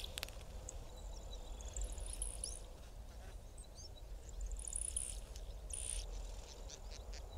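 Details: A male Yellow bishop displaying to females over grassland gives thin, high, insect-like sizzling bursts, two or three over several seconds, over heavy low wind rumble.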